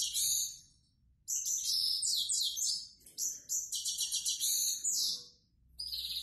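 A grey-headed goldfinch sings a rapid, high twittering song of tinkling trills and buzzy notes in bursts, broken by a short pause, with a quiet background.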